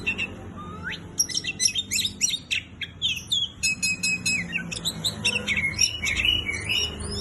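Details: A vigorously singing Oriental magpie-robin opens with one rising whistle, then delivers a fast string of sharp chips, trills and varied whistled phrases, roughly three or four notes a second.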